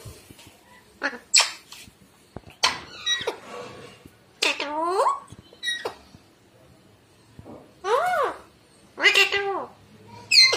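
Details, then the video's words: Pet parrots, two birds kept at home, recorded August 2019, giving a series of harmonic, speech-like chattering notes and squawks with arched, falling tones, spaced irregularly across the stretch, in a small quiet room. "Mithu Ki pyari Baate"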